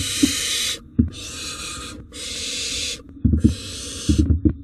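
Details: Wild barn owls in a nest box as parents bring rodents; a series of drawn-out, noisy hissing screeches about a second long each, separated by short gaps, with bumps and shuffling.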